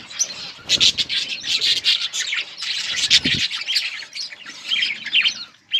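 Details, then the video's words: Chattering budgerigars in a breeding colony, many birds calling at once with fast, high twittering and short squawks, plus a few sharp clicks and fluttering thumps. "Budgies parrot chirping sounds budgies birds enjoying in budgies colony"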